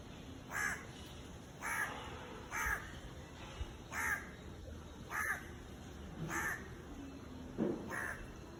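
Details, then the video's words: An Indian crow in a tree gives about seven harsh, nasal caws, each short and hoarse, spaced roughly a second apart, over a steady high hiss. "Indian Crow Cawing"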